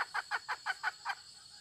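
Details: Six or seven evenly spaced, clipped clucks from a hen in under a second and a half, then quiet apart from a continuous shrill insect background.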